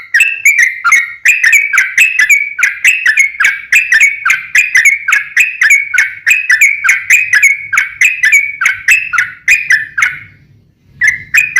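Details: Long bout of sooty-headed bulbul song used to lure other birds: rapid, loud whistled phrases, about seventy a minute, unbroken for ten seconds, then a short pause before it resumes.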